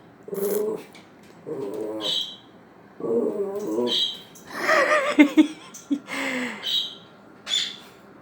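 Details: A female pet Quaker parrot (monk parakeet), flying down to the floor to tease a dog, gives a run of harsh, voice-like squawks with shrill, high-pitched edges.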